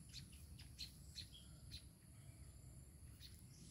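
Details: Baya weaver with its chicks: short, high, sharp chirps repeated about every half second, then fading, over a steady low rumble of outdoor noise and faint insect hiss.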